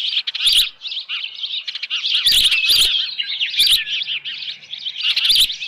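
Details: At the Dunrovin Ranch osprey nest with a headless fish, 6:41 PM on 10 June 2018: dense, urgent high chirping throughout, punctuated by four loud, piercing squeals a second or so apart.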